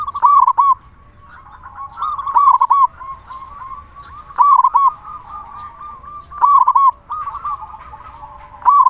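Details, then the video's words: Loud local zebra dove in frequent song, meant as a lure to make other zebra doves sing and raise their breeding urge. Five bursts of rapid, rolling coo notes come about every two seconds, with softer cooing between. "Perkutut lokal gacor suara besar cocok untuk pancingan burung perkutut agar cepat bunyi"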